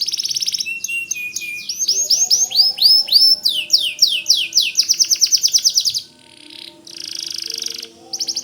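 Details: White canary singing loudly as a tutor for magpie robins: a long varied song of swooping high whistles, rapid trills and sharp repeated chips, with a faint low background tone.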